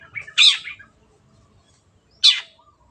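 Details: Long-tailed shrike in strong voice, a clear recording meant for other birds to copy: soft chattering leading into one loud harsh falling screech, then a second rasp two seconds later.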